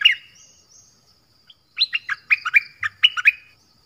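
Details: Sooty-headed Bulbul singing several song patterns: a short high opening note, a pause, then a quick run of six bright, bouncing whistled notes that rise and fall, heard clearly with no other sounds.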